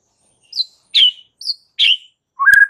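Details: Aggressive white-rumped shama fighting song, kept as a master for training birds to fight: sharp high chirps alternating with lower slurred notes, ending in a quick clear trill.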